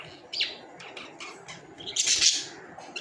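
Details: Budgerigars giving a short run of bright, high chirps and squeaky warbled notes, with a louder, harsher burst of chatter in the last second.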